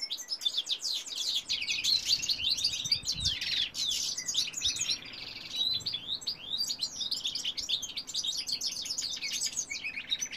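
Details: Male European goldfinch in full song, 2018: a long, lively outpouring of high tinkling twitters and quick trills that runs almost unbroken, with a brief dip midway.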